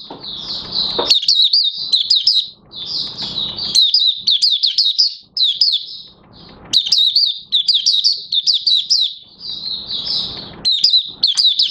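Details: An Oriental white-eye, known as Mata Puteh Raja, held in captivity and opening up in song on 30 August 2022, its fresh white feathers almost fully coloured. Long runs of fast, high twittering notes, broken by brief pauses with low hiss.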